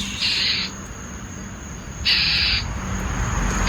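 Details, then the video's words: Northern mockingbird at dusk in Tuscaloosa, angrily yelling while swooping a neighbourhood pet cat: two harsh, rasping bursts about two seconds apart, a third starting at the end, with passing cars and a steady high tone behind. "that sound is a really angry mockingbird"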